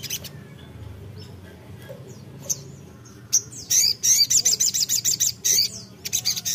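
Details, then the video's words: Brown-throated Sunbird calling out to a rival: mostly quiet at first, then a sudden burst of shrill, rapid, high twittering notes repeated in quick succession for about three seconds. "sogok ontong (sogon) GACOR memanggil lawan"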